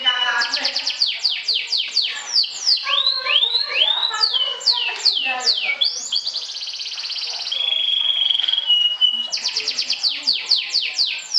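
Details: A trilling champion sobek canary, singing to anger and defeat rivals; rapid, loud falling whistles in long runs, arching phrases, a sustained buzzy trill, a clear steady whistle, then fast repeated notes again.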